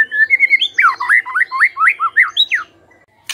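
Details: Lure song of a white-rumped shama, meant to prompt other shamas to sing: level whistles opening into a lively string of curling, swooping whistled notes, then a brief noisy burst at the end.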